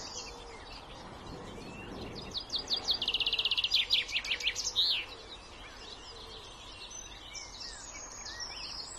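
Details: Common chaffinch (Fringilla coelebs), song.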